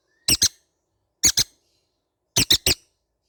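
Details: Green-cheeked conure babies call in three clusters of two or three shrill, clipped squawks, each cluster about a second apart against silence.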